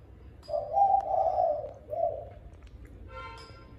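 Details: Evening cooing of a spotted dove at mealtime: a drawn-out, hollow, low coo followed by a shorter one, then a brief burst of harmonic, music-like sound at the end.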